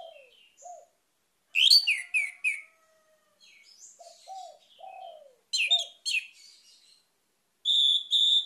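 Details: Orange-headed thrush singing to set off a bird that has stopped singing: low slurred notes mixed with bright, sharp descending whistles and twitters, ending on a steady, pure high whistled note.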